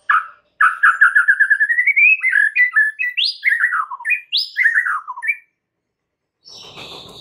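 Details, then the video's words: White-rumped shama singing a lure phrase that is said to anger any shama hearing it: a fast accelerating series of whistled notes that rises in pitch, then varied sweeping notes. Silence follows, then a brief noisy rustle. "PANCINGAN Murai Batu bikin langsung EMOSI murai manapun saat mendengarnya"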